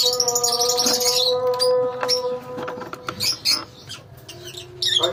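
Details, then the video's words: Lovebirds in a colony give shrill, high chirps in quick overlapping bursts, loud at first and then thinning into scattered calls, over a steady low mechanical hum. "Love bird colony"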